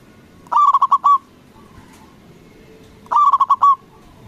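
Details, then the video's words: Local zebra dove, a lively caller with a big voice, used as a lure to make rival doves answer: two quick stuttered cooing phrases of about five clipped, hollow notes each, spaced roughly two and a half seconds apart, over faint background hiss. "Perkutut lokal Gacor Suara BESAR bikin Cepat Emosi Lawan Auto Nyaut Seketika"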